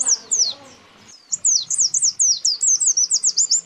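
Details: White-eye lure recording of male and female calls challenging rivals: high, thin downslurred notes, a few at first, then after a short pause a rapid run of twittering notes about four per second.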